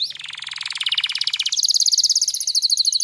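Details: Singing canary on a tutor track to teach young birds and prompt silent ones: a dense, fast trill of repeated chirps that jumps to a higher, brighter rolling trill halfway through.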